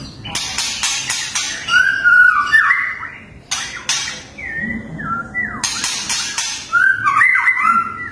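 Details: Fierce tembakan-style song of a white-rumped shama: rapid series of sharp cracking clicks alternating with fluid, slurred whistles that rise and fall, delivered in several bursts over eight seconds.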